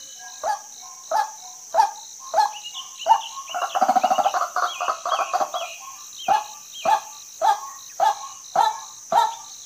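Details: Female white-breasted waterhen with evenly spaced harsh notes that break into a fast, chattering burst midway, then return to the steady single-note rhythm. A constant high hiss underlies everything.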